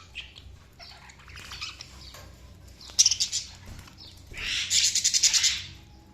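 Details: Budgies give quiet scattered chirps, then two louder bursts of rapid harsh chattering notes, the second one longer and pulsing.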